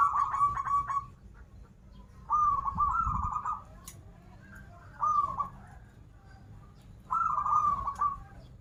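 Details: Local zebra dove from Banten, a vigorous singer, giving its 'krital', 'warung kebek' and odd song styles: a fast ringing trill of cooing notes in phrases about a second long, repeated every few seconds, with faint low background rumble.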